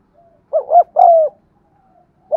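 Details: A single spotted dove phrase, meant to prompt silent birds to coo: a soft rolling double note then a long, level-to-falling coo, with the start of another phrase at the end.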